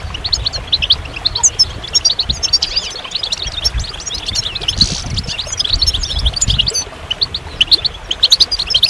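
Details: Continuous, high, tinkling twitter from goldfinch song, with many short sharp notes tumbling together, over a low rumbling hum.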